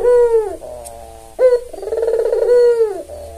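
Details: Tame red-eyed albino Barbary dove kept as a lure bird: a drawn-out purring coo ends, then a short rising note leads into another long vibrating coo.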